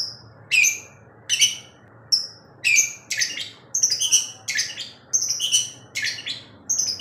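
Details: Long-tailed shrike in full song at night while flicking its tail, giving a varied run of short sharp whistles and rasping bursts, roughly one every half second with brief pauses, against faint background hum.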